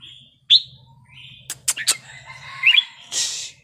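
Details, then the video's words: Red-whiskered bulbul forest-style song with a sharp whistled note, a few soft warbles and clicks, then a burst of hissing noise near the end. "นกกรงหัวจุกเพลงป่า สำนวนเพราะ ๆ เปิดยั้วนกฟังนกคึก"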